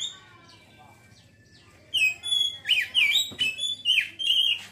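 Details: Ngeriwik singing of an Oriental magpie-robin: after faint soft whistles, a sudden loud run of high, wavering slurred notes and sharp chips, repeated in quick fluttering bursts with one brief click midway.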